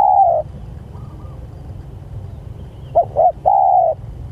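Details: Spotted dove calling to its companions: the tail of one long coo, a pause, then a full phrase of two short coos and a drawn-out low coo, over light background hum.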